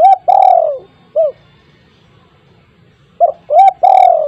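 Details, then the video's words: Spotted dove cooing at home, used to coax silent doves into calling: a long falling coo and short note, a pause, then a fresh phrase of short, rising and long sliding coos. "burung tekukur dirumah yang bisu auto langsung ikut bunyi"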